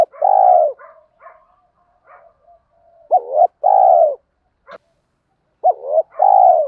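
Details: Spotted doves, males and females, calling to stimulate birds in training: loud mellow low coos with short rising notes before them, separated by quiet gaps holding soft broken murmurs and a sharp click.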